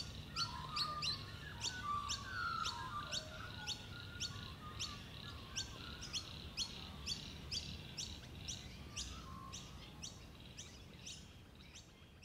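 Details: Pacific Black Duck ducklings following their mother at local wetlands; thin high peeps repeated about twice a second over soft background noise, with faint lower warbling notes early on.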